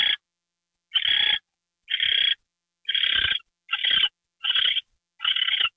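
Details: Owl receiving a mouse treat, January 28, 2013 at 9:33 PM; rough, screechy hiss bursts about once a second, some longer and uneven, with brief pauses between.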